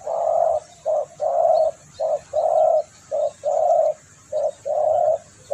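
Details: Spotted dove used for lure and tutor recordings, giving rhythmic muffled coos: a short note then a longer one, repeated in a steady pattern close to once a second.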